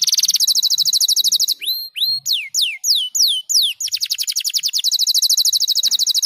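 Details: Canary opening with a fast, buzzy trill, then shifting to a short run of separate swooping whistles, then returning to a long, even, rapid trill of repeated high notes.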